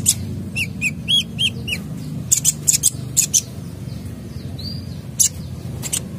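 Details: Vigorous sunbird song full of fill-in phrases for prompting other birds: a few quick downslurred whistles, then scattered high sharp chips and a brief rising note, with low background hum.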